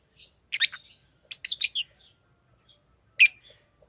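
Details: Green Fischer's lovebird at home, uttering a loud chirp followed by a quick run of four clipped, buzzy notes, then quiet and one final sharp chirp.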